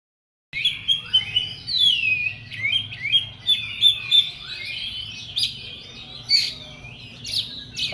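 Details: Oriental magpie-robin in an agitated, worked-up state, singing a long continuous stream of high whistles, sweeping slurs and scratchy notes, varied and fast, over a low steady hum.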